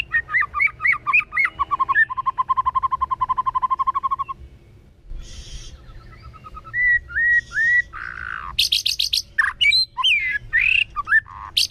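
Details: White-rumped shama in wild-style song, with the phrase likened to drawing on a tobacco pipe: quick whistled slurs, a long steady train of rapid repeated notes, a pause, then curled whistles and loud high chips.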